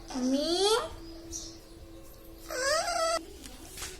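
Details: Talking parrot at moderate distance: two drawn-out, rising, voice-like syllables separated by a pause, over a steady low hum and faint room noise.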